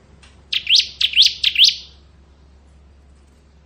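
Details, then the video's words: Bar-winged prinia of the kristal kind, known locally as ciblek, giving a short ngebren burst of four or five rapid rising whistled chirps, then silence. "Suara Burung Ciblek Ngebren"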